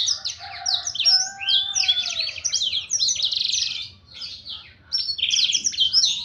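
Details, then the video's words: Black-throated canary sings a fast, unbroken run of high twitters, trills and buzzy notes, with a few lower drawn-out whistles and a brief pause midway. "suara burung blackthroat"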